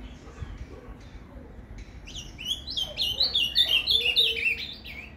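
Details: Captive-bird training song, Paraná canto fibra, from an ultramarine grosbeak: a quiet start building into a rapid, rhythmic sequence of clear, swooping whistled notes lasting nearly three seconds.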